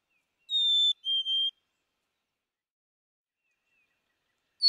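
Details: Black-capped chickadee singing two pure whistled notes, the first higher and the second a little lower. The song is heard once, followed by silence and a faint click at the end.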